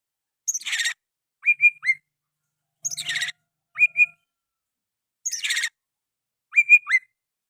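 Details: Oriental magpie-robin repeating a phrase in sooty-headed bulbul style three times, about every two seconds: a harsh scratchy burst followed by two short whistled notes.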